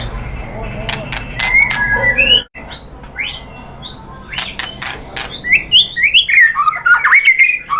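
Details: White-rumped shama song used as a lure to provoke other shamas into singing: whistled rising and falling phrases around mid pitch, a brief pause, then quick varied slurred notes and chattering bursts.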